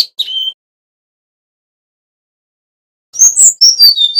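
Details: Male Bali brown-chested jungle flycatcher singing in full voice: high, clear whistled notes, a brief slurred phrase, a pause of over two seconds, then a run of thin sliding whistles.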